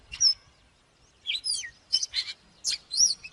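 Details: Oriental magpie-robin, for training birds to sing: a few short bursts of high piercing whistles and scratchy notes separated by pauses.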